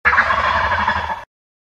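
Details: Turkey giving a single loud gobble, a rapid rattling burst of throaty notes lasting just over a second, then silence.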